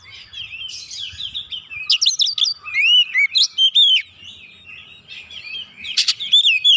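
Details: Oriental magpie-robin song meant to provoke other birds: energetic mix of sharp chips, looping whistles and rapid twittering in loud bursts, with a quieter softer passage before a final burst of whistled notes.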